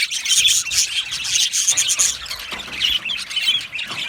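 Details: Colony of Australian budgies kept in an aviary, chattering together: busy overlapping chirps and scratchy warbles, with brief louder squawks standing out every half second or so.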